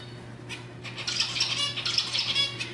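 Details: Zebra finch singing to stimulate females to mate, a softer run of buzzy, wavering notes building after the first second, with a faint constant hum underneath.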